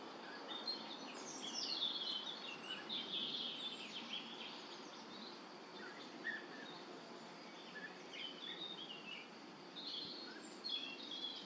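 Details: European bee-eaters in La Brenne, France, 2023, giving short, rolling, high trilled calls scattered through the recording, several overlapping at times, fairly faint over steady outdoor background hiss.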